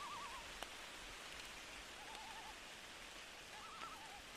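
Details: A loon's faint quavering tremolo calls come three times through heavy rain at night, short wavering phrases nearly buried under the constant rush of rainfall.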